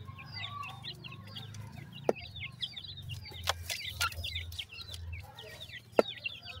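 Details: Grey francolin chicks in India calling for their mother: a busy stream of thin, high, downslurred peeps from several chicks, overlapping constantly, with a few sharp clicks and a low steady hum underneath.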